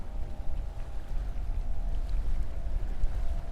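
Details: Only a low, steady rumble of wind and water with a faint engine-like hum; no animal calls stand out.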